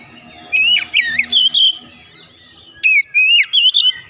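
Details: Daily-therapy gacor song of the Oriental magpie-robin (kacer) for a bird that has stopped singing: clear, wavering whistled phrases in two bursts over a faint background hum.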